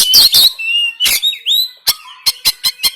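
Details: Oriental magpie-robin, Banten, phone recording of the rough 'tembakan kasar' style used to stir a reluctant bird to sing and fan its tail. High shrill rasps, a looping whistle, then a quick series of five sharp snapping notes.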